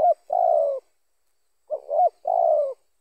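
A spotted dove gives two soft, low coos, each a quick hooting lead-in followed by a longer drawn-out falling note, about two seconds apart; nothing else intrudes.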